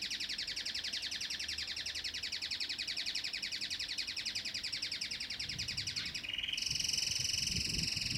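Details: Domestic canary song: a long, fast, evenly pulsed trill repeated without pause. Near the end it switches to a louder, smoother high roll. Faint low background noise.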